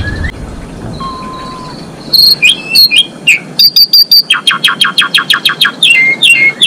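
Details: A female Asian pied starling sings to bring males into breeding condition; faint thin whistles give way to quick mixed notes and a steady train of about fifteen sharp, clipped chips.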